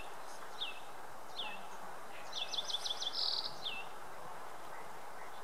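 A Yellow-eyed Junco sings high, sharply down-slurred notes, then a quick bright trill of about ten notes, and ends with another slurred note over a steady low rumble.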